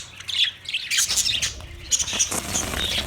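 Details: Australian parrots calling, recorded on March 15, 2024: a busy burst of harsh, high screeching squawks overlapping one another, with short bursts of noise between calls.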